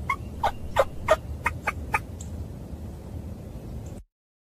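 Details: Turkey calling in a quick series of six or seven loud, harsh notes over about two seconds, then fainter notes over a low rumbling background before the sound cuts to silence.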